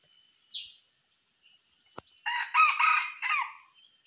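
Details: A junglefowl, recorded while luring wild junglefowl, gives a short, hoarse, clipped crow in four quick rasping syllables, after a faint high squeak and a sharp click.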